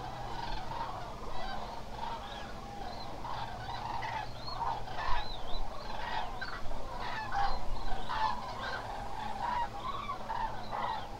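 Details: A large flock of Eurasian (common) cranes at the Hula Nature Reserve wetland in Israel on 27 October keeps up a dense chorus of loud, rolling, trumpeting calls that overlap without pause, over a steady low rumble.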